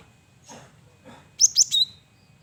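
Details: Male cinereous tit (gelatik batu), an energetic singer used as a lure: two soft rustling sounds, then a quick pair of high sharp notes and a level whistled tail.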